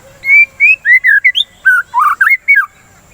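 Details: White-rumped shama (murai batu) song played as a lure to stimulate kept birds to sing and to calm them out of breeding excitement; fast clear whistled phrases, slurred rising and falling notes, about ten in three seconds, with a faint steady hiss.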